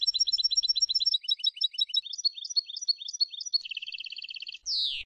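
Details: European goldfinch of the Tunisian Sfax style delivering a continuous stream of quick, high, tinkling twitters that shift into a rattling buzzy trill, closed by a short harsh downward-slurred note.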